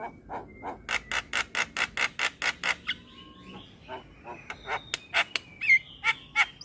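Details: Javan myna, white-eyed type, singing vigorously as a tutor bird: a fast run of dry rattling notes, then soft whistles and more spaced chips with a few clear ringing whistles.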